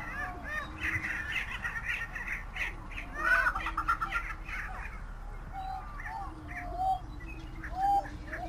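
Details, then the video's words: Greater prairie chickens (Tympanuchus cupido), United States: several birds give a busy chorus of harsh, cackling and crow-like calls with a few clear whistled notes. Faint low hoots sound underneath. "Canto del Gallo de las Praderas Grande"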